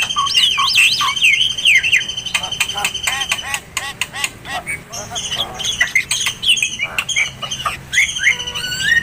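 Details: Kacer, the Oriental magpie-robin, singing a masteran song used to train other songbirds: looping whistled phrases, fast rattling chirp bursts about four per second, and sustained piercing high notes running underneath.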